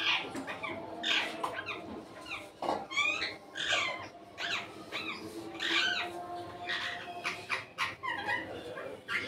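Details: A pet Indian ringneck (rose-ringed) parakeet out of its cage chatters in quick, harsh, high squawks and short sweeping notes, several a second, over a faint steady hum.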